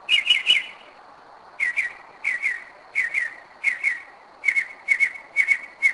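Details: Northern mockingbird heard at 2am at night in Kennesaw, Georgia, 2011, returning to a familiar spot yearly; a quick triplet of notes, then short notes in repeated pairs, a steady rhythmic series of whistles.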